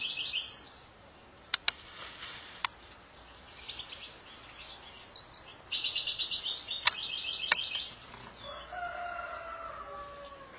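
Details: European goldfinch singing in bursts of high, fast twittering and tinkling notes, separated by pauses with a few sharp clicks; a lower drawn-out note near the end over steady background hiss.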